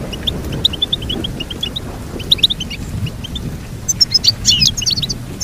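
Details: Evenly spaced high chirps from a goldfinch lead into a busier, louder twittering flourish of jumbled buzzy notes in the last second and a half.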